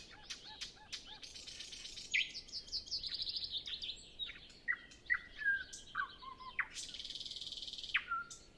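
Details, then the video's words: Nightingale singing before sunrise, windless, no other birds singing, Zoom F6 and Sennheiser MKH 8040 recording: opens with low hollow repeated notes, then a fast rattle, loud separated chips, and a long buzzy trill ending in a whistle. "Nightingale Sound Library"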